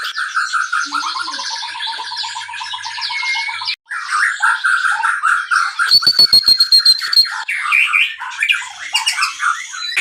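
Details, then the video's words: Captive White-rumped shama whose song serves as a lure to stimulate other birds; loud repeated chattering phrases and whistles, a brief gap, then rattling bursts and mixed melodic notes. "suara pancingan murai batu"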